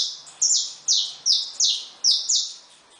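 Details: Caged saffron finches with newly hatched chicks, hopping in the cage. Six sharp, high, downslurred chirps, each loud at the start and fading, come about every half second in a small quiet room.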